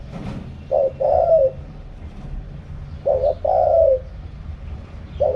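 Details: Spotted dove cooing in the 'kharom pa' wild-style voice: two phrases, each a short doubled note followed by a longer, slightly falling mellow coo, about two seconds apart over a low rumbling background.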